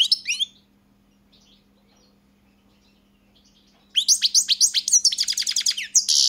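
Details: European goldfinch, variety 'crni', gives a brief twitter, falls silent for about three seconds, then bursts into a fast sequence of high repeated chirps over a faint steady hum.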